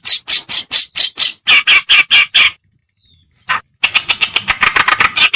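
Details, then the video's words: Harsh churring reed warbler notes from a lure recording for attracting birds: an even series of rasping calls, a short pause with a faint thin whistle, then a quicker, denser chatter. "Suara Pikat Burung Kerakbasi Alis Putih/Alis hitam(cikrok)"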